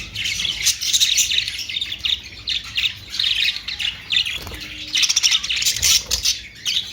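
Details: Quick, bright twitters and scratchy squawks from budgerigars come in repeated bursts, building into denser chatter after the fourth second.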